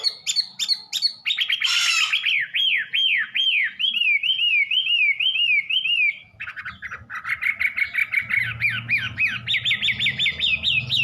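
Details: A Sulawesi babbler singing without a female sings a fast, varied string of clear whistled notes that swoop up and down in quick rolling series, with a brief harsh burst and a faint low hum.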